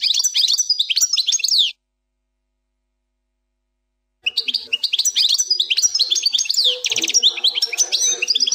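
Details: Goldfinch plak mine style song without errors: a short burst of bright, rapidly modulated twitters, a pause, then a longer fast phrase of chirps, slurred whistles and a brief rattling buzz.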